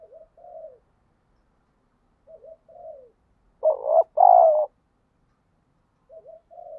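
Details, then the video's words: Spotted dove calling to provoke fighting and to train a lure bird: short soft low coos, then two loud, full, emphatic coo notes back to back, then soft coos again after a pause, with no other sounds. "chim cu gáy thúc đấu, tiếng chim cu gáy kích bổi rất lẹ nổi, tiếng chim cu gáy luyện mồi hàng ngày"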